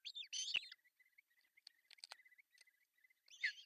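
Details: Osprey at a nest in Pohjois Satakunta, Finland, June 10, 2024, with the male arriving with fish for breakfast: a loud shrill yelping burst, then faint thin repeated chirps, and another loud squeal at the end.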